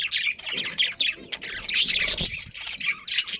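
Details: Budgerigar breeding colony with a breeding pair: dense overlapping high chirps and squawks from several birds, continuous chatter with some lower background noise.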